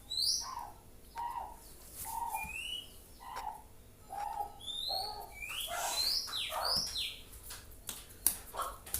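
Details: Young white-rumped shama (kacer) learning to sing: soft, low whistled notes repeated about once a second, joined later by higher rising and falling whistles and sweeps, recorded faintly with background hiss.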